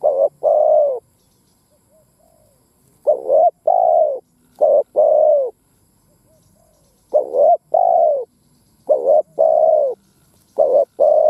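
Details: Spotted dove, a captive decoy bird kept for trapping, giving a repeated cooing phrase, each a pair of short notes then a longer mellow coo, spaced roughly every two seconds with clean silence between.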